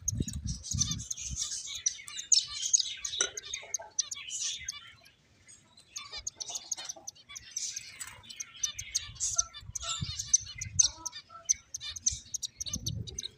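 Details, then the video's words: Several playful finches twitter continuously in high, tinny chirps, with a short lull midway and occasional low knocks or thuds in the background. "Cute Birds Chirping Sounds | Beautiful Finches Playing"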